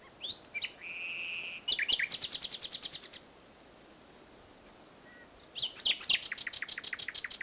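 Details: At Salthouse, Norfolk, on 1 May 2011, a common nightingale sings. A sustained pure whistle leads into a quick run of loud repeated clicking notes. After a silent pause, another fast rattling phrase follows.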